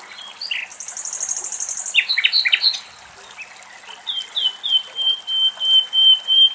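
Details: Common nightingale singing in Greece: a fast high rattle, then choppy chuck notes, ending in a crescendo of pure whistles that swell louder one after another.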